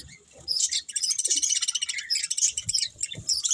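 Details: After a quiet start, budgies break into a rapid run of high, rattling chirps and twitters that carries on to the end.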